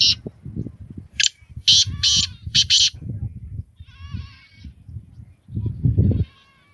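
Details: Black francolin, known locally as kala teetar, gives a harsh, grating series of four or five loud rasping notes; low murmuring background sounds run throughout, and thin whistled trills from another bird follow.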